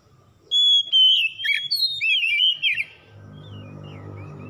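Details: Oriental magpie-robin song played to restore singing in a stressed, silent bird; a two-and-a-half-second run of loud, pure whistles with quick upward and downward slides, followed by a low rumbling hum.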